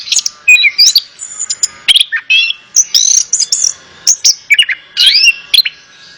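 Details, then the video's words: Orange-headed thrush song played as therapy to coax a reluctant kept bird into answering: rapid varied phrases of bright whistles, chirps and slurred notes, mostly high-pitched, with short gaps, no other sounds. "Terapi Burung Anis Kembang | Atasi Burung Anis Kembang Malas Bunyi Ikut Nyaut"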